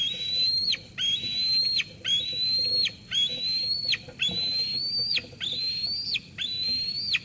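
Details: A young eagle at Sauces Canyon on 13 June 2021 keeps squeeing at its mother, who has brought food, until she leaves. Seven strong, slightly rising whistled squeals, each ending with a steep downward flick, about one per second.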